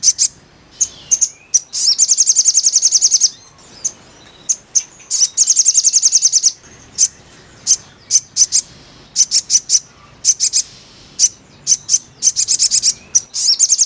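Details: Crimson sunbird singing, played to make another bird sing: sustained rapid high trills lasting about a second each, alternating with scattered sharp chips and short bursts, very shrill throughout.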